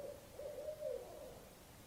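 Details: Barred owl (Strix varia) gives low, hollow hoots that run together into a drawn-out, wavering call lasting about two seconds, with nothing else heard.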